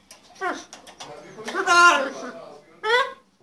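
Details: A pet hybrid macaw (ara), born May 2015 and known for very loud screaming, gives a loud, harsh, grating squawk amid shorter throaty calls while its owner scolds it for shouting.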